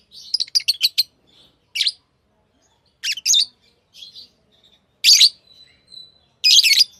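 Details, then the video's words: Pet lovebirds giving a quick stutter of shrill notes, then spaced raspy chirps and a thin faint whistle, in a quiet room. "Love birds Sounds | lovebirds chirping sounds| parrot beautiful sounds"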